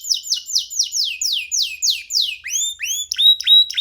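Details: Young free-flying pet canary singing while perched on a person's hand: a rapid series of bright descending whistled notes, then a run of higher rising chirps, loud and clean.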